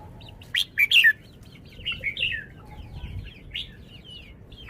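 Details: Red-whiskered bulbul in a cage shows its song style with three strong, ringing notes followed by a steady patter of short, slurred, chirping whistles, with a quiet hum underneath.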